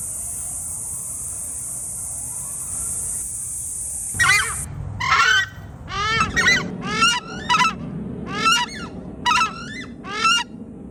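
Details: Crested screamer calling: loud, trumpeting, honk-like notes with rich harmonics, given in a series roughly every second, preceded by a steady high hiss that fills the first four seconds.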